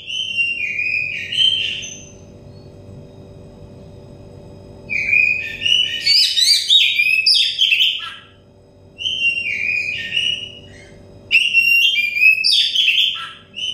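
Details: Oriental magpie-robin singing, meant as therapy to bring a stressed bird into song: bursts of varied whistles and rapid scratchy, chattering notes come in four phrases separated by quiet gaps of a few seconds, faint hum underneath.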